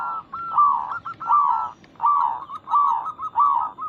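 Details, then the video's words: Zebra dove of a local strain singing a call meant to make other zebra doves respond: rhythmic, rolling trilled coos repeated about every half second in a steady, bubbling sequence. "Perkutut lokal gacor Suara ini membuat Burung Perkutut langsung Nyaut cepat respon"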